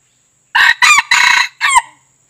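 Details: White-eared red junglefowl crow used as a hunter's lure call: a hoarse, harsh crow of about 1.3 seconds in four broken syllables, with the final syllable sliding downward, over a quiet background.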